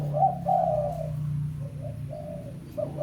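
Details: Spotted dove calling to a rival, recorded as a lure call: soft, low hollow coos in short phrases, the notes running together in a rolling series, over a steady low hum.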